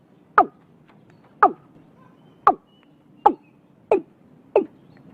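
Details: Watercock calling early in the year in Vietnam: a series of short, hollow, downward-sliding notes, about one per second and slightly irregular, over a quiet background with a faint high whistle.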